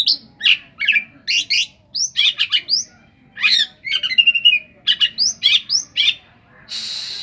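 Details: Oriental magpie-robin song rich in imitations resembling the cetdet bird: a steady stream of harsh, scratchy double notes and rising whistles, about two to three per second, ending in a hissing burst.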